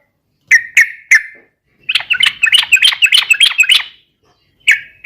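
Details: Yellow-vented bulbul, used as a lure for other birds: three clear chirps, then a quick bubbling warble, then more single chirps.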